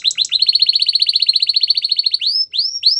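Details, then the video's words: Canary song meant for training other canaries: a fast, even trill of bright buzzy notes repeated many times for about two seconds, then three sweeping upward whistles, each rising then levelling off; no other sounds. "Best canary sounds!! Suitable for canary training"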